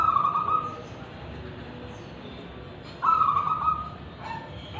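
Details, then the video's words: Local wild-type zebra dove from Tulungagung, Indonesia, singing actively in the voice styles called kristal and ulem. Two trilled, cooing phrases, one at the start and one near three seconds, then a softer closing note over a low steady hiss. "GACORAN Perkutut Lokal Alam Dengan Suara Ulem dan Kristal"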